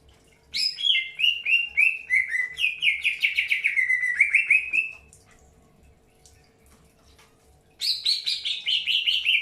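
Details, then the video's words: Greater green leafbird in early pairing; a long rapid chatter of whistled notes sliding downward then rising at the end, a few seconds of quiet, then another fast whistled run begins. "PROSES PENJODOHAN AWAL BURUNG CUCAK HIJAU"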